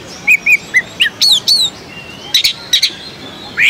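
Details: Caged Oriental magpie-robin competing at the Jakarta Cup 2015 songbird contest, Indonesia, producing spaced, clear whistled notes, some paired, a few rising slurs and brief high buzzy bursts, with soft background noise.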